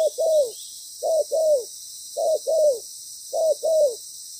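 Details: Decoy spotted dove during trapping, moulting and calling steadily: four pairs of coos, each a brief note then a falling drawn-out coo, spaced about a second apart, with continuous insect buzz above.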